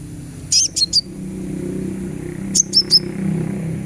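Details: Therapy recording of a sunbird to prompt singing: two groups of three very high, sharp descending chips about two seconds apart over a low background hum.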